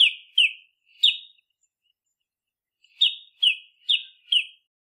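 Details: Southern African Scarlet-chested Sunbird giving sharp, high, downslurred chips, about two or three per second in loose bursts with a short gap; nothing else heard.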